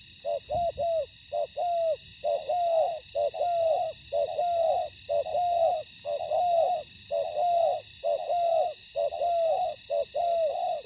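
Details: Spotted doves in a Vietnamese ground trap, a decoy meeting combative wild birds. Dense, fast series of slightly falling hollow coos, nearly continuous and about one per second, with overlapping notes suggesting more than one bird.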